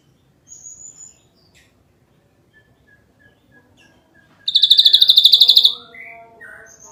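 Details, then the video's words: Ashy drongo, 'nembak rapat' style. Quiet thin whistles and faint ticking notes lead into a loud, high, rapid pulsed trill of about a second, followed by lower slurred notes. "Burung Srigunting Abu - Abu Gacor Nembak Rapat"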